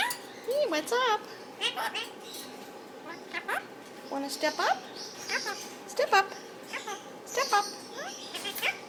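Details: Pet Indian ringneck parakeet chatting with its owner and a caged companion: repeated short, harsh, speech-like bursts every second or so, tangled with the owner's voice.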